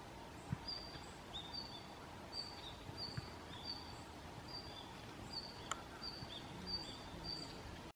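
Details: Several Red-flanked bluetails calling on 30 November 2014, recorded on a Canon PowerShot SX60 HS: a quick series of thin, high whistled notes, some followed by slightly lower echoing notes, repeated every half second or so, with one sharp click and low ambient noise.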